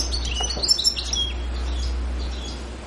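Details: European goldfinch, Pantelleria island, 2 January 2011: a brief burst of high twittering and chirps in the first second, then fading to quiet hum.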